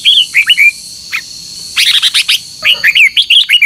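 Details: Red-whiskered bulbul morning competition song with long double notes, used to train birds: bright slurred whistled phrases, rising then falling, in quick bursts, a pause, then a denser run of chirpy notes and more looping whistles.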